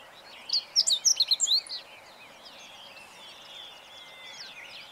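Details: Meadow bunting singing on 20 March 2015: one quick, high phrase of sharp chirps and twittering notes lasting just over a second, then fainter background twitters from other birds over steady ambient noise.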